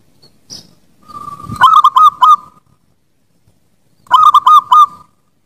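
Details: Master song of a zebra dove for training birds. Two strong phrases of rapid, warbling coos, each four or five rolled notes over about a second, are separated by a short silence. A faint murmur precedes the first phrase.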